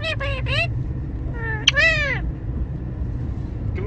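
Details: Pet parrot imitating its owner's words, uttering short high-pitched, voice-like phrases with a clear break between them, over a constant low hum.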